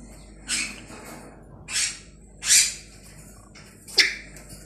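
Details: Tame African grey parrot talking: four separate harsh, hissy bursts spaced roughly a second apart, the last one sharper and more clipped, against a quiet background.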